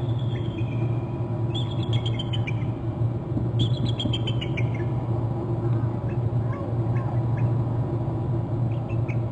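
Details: Both eagles of a pair calling in their nest territory on Hornby Island, around 1500, after one flew in from inland: two bursts of high, thin chittering notes tumbling downward, over steady low wind or engine rumble.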